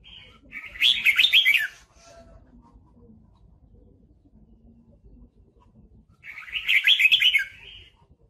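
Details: Red-whiskered bulbul used as a lure bird while trapping, singing in a fighting context: two bursts of warbled, chattering phrases, each about a second long, separated by several seconds of near silence.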